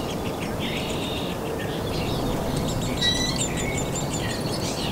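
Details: Young downy woodpeckers in a nest cavity begging during feeding visits by the adults; thin, high chattering and short buzzy notes in irregular runs across the whole stretch, with continuous low background noise.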